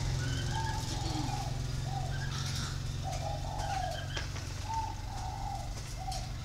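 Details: Spotted dove giving a warm-toned, plain three-note coo (cúc cù cu), low hollow phrases repeated several times in a row over a steady low hum.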